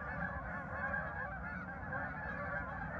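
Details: Many geese calling together at a farm park, 10 November 2024: a continuous wash of honking and chattering voices with a deep background rumble beneath.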